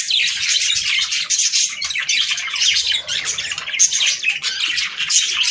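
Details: Budgerigars heard in a recording meant to stimulate breeding: dense, continuous high chattering warble of many overlapping chirps and squeaky notes with no pause, in a small indoor space.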